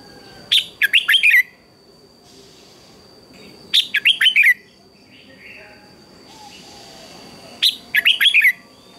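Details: Red-whiskered bulbul in morning contest song: three matching phrases, each a sharp opening note followed by a rapid run of rolling whistles, repeated about every three and a half seconds over a faint high steady tone.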